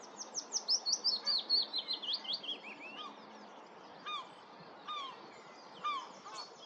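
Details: Common sandpiper at Lurgies, Montrose Basin, giving a fast run of thin, high piping notes sliding downward, then a few spaced single shrill calls over soft background noise.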